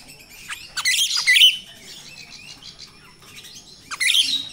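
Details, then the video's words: Myna called jalak rio-rio, recorded in nature as a lure for captive birds: a cluster of loud grating squawks and short whistles, a quieter jumble of faint notes, then another harsh burst. "Suara jalak Rio-Rio asli alam// pancingan untuk jalak Rio-Rio bahan"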